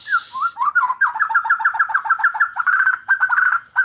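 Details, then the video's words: White-rumped shama in continuous 'gacor' song, used to coax silent birds and young birds into singing. It gives a couple of slurred whistles, then a fast, even series of repeated clipped notes, about eight per second, ending in a rolling trill. "Muarai batu gacor_cocok buat gesek burung yng bisu"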